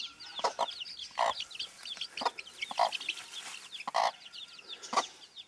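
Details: Bantam hen caring for her chicks gives rounded clucks, some doubled, roughly every second, while many chicks keep up high, falling peeps.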